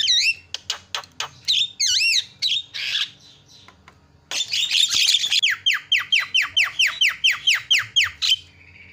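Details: Javan myna, praised as a champion with the loudest song, singing a training phrase: looping wavy whistles and harsh squawks, a brief pause, then a long steady series of downslurred ringing whistles repeated rapidly.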